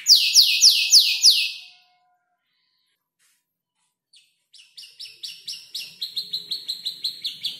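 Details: Canary about five months old mimicking tutor birds including ciblek and prenjak lumut; bold falling whistled sweeps repeated rapidly, a silence, then a quickening run of clipped high chips.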